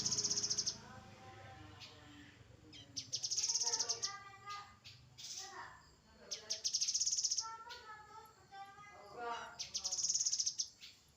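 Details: Grey-headed canary-flycatcher song: three bursts of a very high, fast, even trill, about a second each and roughly three seconds apart. Lower harmonic warbling tones fill the gaps.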